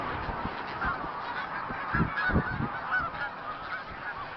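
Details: Snow geese in a flock of about 3,000 to 4,000, mixed with several hundred Canada geese and mallards, leaving and arriving at a field on Route 34B, Tompkins County, New York, on 20 December 2009: dense, overlapping honking chorus with low thumps and rumble.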